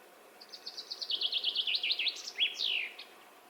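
A Common Chaffinch sings a quick run of about a dozen bright notes that speeds up and drops in pitch, ending in a flourish. Faint background hiss.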